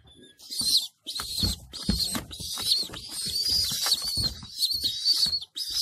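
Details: Homing pigeons in their loft, where adults feed their young: loud, high, squeaky bursts come one after another with brief pauses, and soft low notes and rustling run underneath.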